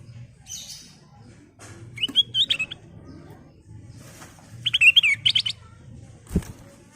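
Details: Sooty-headed bulbul full song, used as a lure and tutor song for trapping birds: two short bubbly, warbling phrases of quick rising and falling notes a few seconds apart, with sharp clicks and a low steady hum behind.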